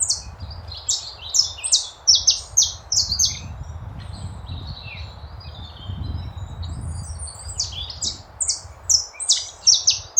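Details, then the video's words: Chopi blackbird singing in the wild: a lively stream of bright, high chirps and short whistled notes, some sliding down, delivered in quick clusters with brief pauses, over a low steady rumble of background noise. "passaram preto na natureza"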